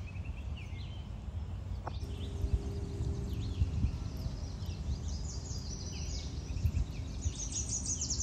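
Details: Mallard ducklings with their mother peep in thin, high, rapid chirps that thicken in the second half, over a steady low rumble of wind and handling noise.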